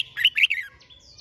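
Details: Red-whiskered bulbul competition song, used to stimulate singing; one short, bright phrase of three quick rolling whistles, followed by faint thin high notes.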